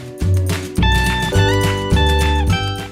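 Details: Strummed guitar music with a steady beat and low bass fills the whole stretch, with no animal sound heard.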